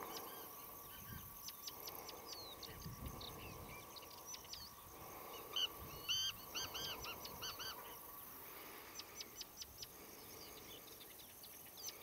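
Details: Rufous-tailed scrub robins alarmed beside their fledglings at a water snake, Shirvan National Park, Azerbaijan, June 2013: scattered rapid dry clicks, a cluster of looping arched notes mid-way, then more ticking series, all over a constant droning hum.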